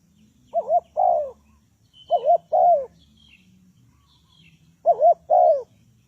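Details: Spotted dove calling as a trapping lure. Three two-part phrases, each a short wavy coo followed by a longer descending one, are separated by pauses of over a second. Faint higher chirps from other birds are heard between them.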